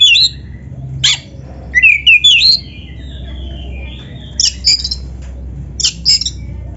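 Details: Black-breasted magpie-robin (kacer dada hitam) in lively gacor song, phrases rich with canary-like fills: sharp high whistled slurs and bright chips in short bursts separated by pauses, over a low steady hum.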